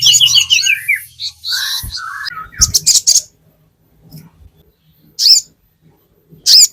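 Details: Sogon in full chattering song, played as a lure to stir captive birds into singing: dense, high, squeaky twittering phrases with quick downward slurs, then a pause broken by short sharp bursts of high chips.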